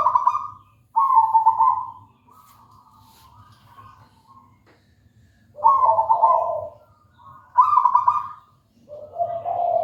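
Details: Perched local zebra dove singing steadily: several soft, purring trilled coos, some high and rolling, others lower and buzzier, spaced by short pauses against a constant low hum.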